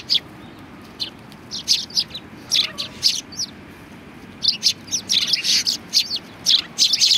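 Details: Sparrows chattering at a Tenmangu shrine: lively, uneven runs of sharp high chirps, pausing briefly mid-way before a busier stretch of overlapping tweets.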